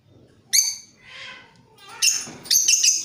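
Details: A Creamino lovebird chattering as a lure for training birds, a sharp opening chirp, a softer hissy sound, then two quick loud scratchy bursts close together.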